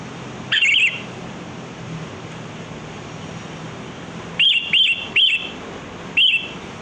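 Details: Sooty-headed bulbul (kutilang) heard in the wild, used as a bird lure: one fluty warbled phrase, a long pause, then four short whistled notes spaced about half a second apart.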